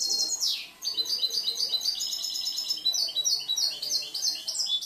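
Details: European goldfinch, a year-old caged songster noted for changing, mixing and composing its song, pours out fast high tinkling twitters with a sweeping downward slur early, then steady jingling repeated notes.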